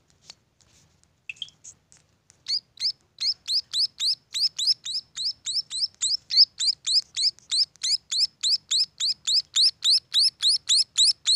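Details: Munia chicks begin with a few scattered faint chirps, then break into a loud regular run of high rising notes at about three and a half per second.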